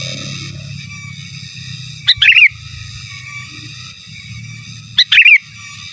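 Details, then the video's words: Sooty-headed bulbul singing in gacor, giras and menggaruda style, used as master song: two short bubbly, warbled phrases about three seconds apart, each a sharp note then a quick rolling trill, over a steady high electronic whine and low rumble. "Suara Burung Kutilang Gacor Giras dan Menggaruda Cocok Untuk Masteran"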